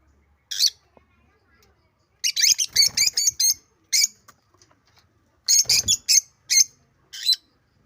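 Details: African lovebirds calling: bursts of shrill, harsh squawks and chirps in quick clusters of three to five, with pauses between groups; faint rustling.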